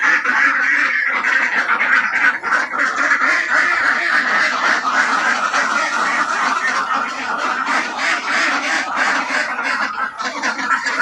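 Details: A group of Assam ducks, village birds, quacking nonstop: harsh, nasal calls tumble over one another at a fast, uneven pace, about three or four per second, forming a constant, noisy chorus.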